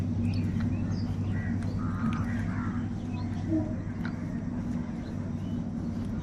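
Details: Crows calling in the morning, several caws heard as short, harsh, nasal notes bunched around the second and third seconds, set against a constant low droning hum like passing traffic.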